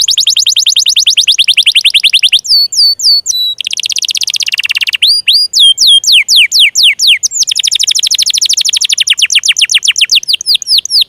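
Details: Canary song to encourage silent or young canaries to sing: long fast trills of descending notes alternating with hooked whistles and a buzzy rattle, varied and continuous, no background noise.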